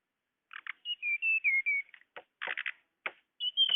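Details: Lure call of the tledekan for trapping birds: a run of sliding high whistles falling gradually in pitch, followed by several rasping buzzy chips.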